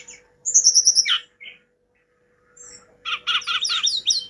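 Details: Hill blue flycatcher singing: a quick series of high whistled notes falling steeply, a short pause, then rhythmic buzzy notes mixed with rapid high descending slurs.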